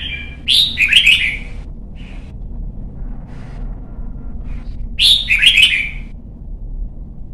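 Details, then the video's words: Red-whiskered bulbul, a young white-cheeked bird in voice training for competition singing; two bright warbled phrases about four seconds apart, each a rising note then a rapid burbling tumble, over a steady low hum. "CHÀO MÀO | Luyện giọng má trắng chim non - Thúc chim hót hay hót đấu"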